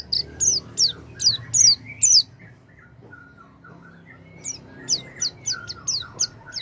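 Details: Oriental white-eye song meant to make a silent white-eye sing: a run of high down-slurred chirps, a pause with faint low whistles, then quicker chirping resumes.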